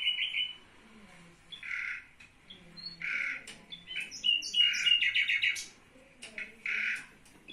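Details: A budgerigar reacting to a bird sound played on a phone gives harsh, buzzy squawks mixed with quick chirps and a scratchy warble.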